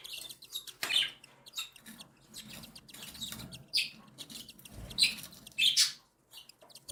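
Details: Three captive cockatiel chicks, one day and seven days old, fed by their mother: scattered bursts of high, raspy, hissing chirps with short gaps, some louder squeaky peaks, and faint low rustling.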